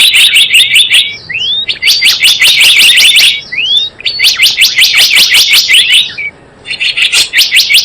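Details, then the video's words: Java sparrow sound used as a trapping lure and master recording. Long runs of fast, sharp, repeated chirps continue almost without pause, broken by a couple of short rising slurred notes and brief quiet gaps. "SUARA PIKAT BURUNG GELATIK BLOONG .. mp3 pikat dan masteran"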